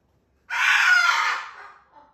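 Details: A pet cockatoo performing on a railing when asked to sing: one loud, harsh, raucous screech lasting about a second, fading at the end into a brief softer note, with no other sounds.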